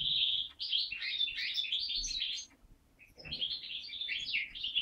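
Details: Song of a captive-bred linnet crossed with Waterslager canary mule from 2012: quick tumbling twitters and trilled phrases, a brief silent gap, then another burst of jumbled warbling.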